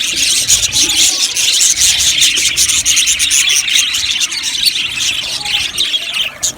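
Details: Aviary colony of budgies giving nonstop high chirps, squeaks and warbling chatter, many birds calling over one another with no pauses.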